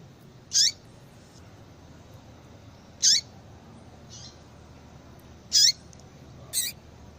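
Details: Female yellow-bellied seedeater giving calls that prompt a male to sing: clear high chips with a downward flick, steady every two and a half seconds, faint soft notes between, then a final thinner chip.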